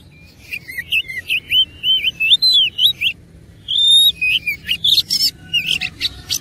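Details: Fighting oriental magpie-robin pouring out a rich filler song: a fast run of looping whistled phrases, a short gap, then a long pure whistle followed by scratchy buzzes and quick chirps.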